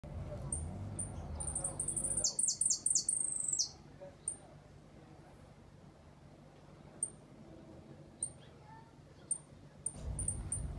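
A European goldfinch gives thin, high chirps and a quick rolling burst of descending twittered notes, with low murmuring voices and background hum.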